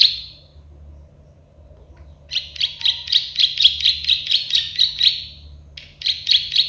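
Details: After a faint opening note and two seconds of quiet, a plain prinia (prenjak sawah, klik-klik bird) launches a long series of buzzy, evenly spaced clicks, then a short extra burst.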